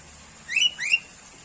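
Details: Sooty-headed bulbul giving two clear, rising whistled notes in quick succession, the second slightly longer, against a quiet background.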